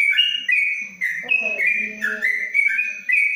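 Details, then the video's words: Long ropelan-style song from a caged yellow-vented bulbul inside a cage cover in Kebumen: clear whistled notes stepping between two pitches, with a brief burst of voices in the middle. "Trucuk Ropelan Panjang dalam krojong"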